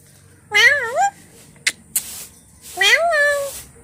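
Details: A talking parrot says two short, wavering, nasal phrases about two seconds apart, each rising and falling in pitch, with a couple of sharp clicks between them. The words are possibly "I love you", "hello" or "mama".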